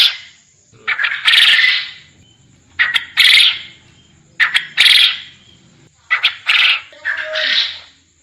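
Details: Quail recorded as a master track for training quail to call actively for contests; short clipped notes lead into a longer harsh, buzzy burst, the phrase repeated about every 1.8 seconds, with a faint steady high tone behind.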